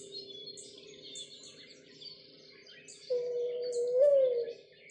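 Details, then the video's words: A mourning dove gives one soft, low, hollow coo lasting over a second, swelling upward then sliding down, over a steady hum and faint chirps of other small birds. "Mourning dove"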